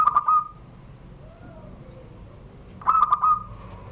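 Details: ['Caged zebra dove from Banten in Indonesia gives its classic Surung Gdor coo beneath a doorway. Two phrases of rapid clipped notes, each with a short ringing finish, come about three seconds apart over quiet room background.']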